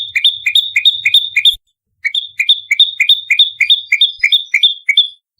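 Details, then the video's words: Bar-winged prinia fighting, recorded as a lure sound: quick paired notes, a low chip leading into a high steady whistle, repeated rapidly in two bursts separated by a short pause. "SUARA PIKAT PRENJAK LUMUT TARUNG NEMBAK RAPAT"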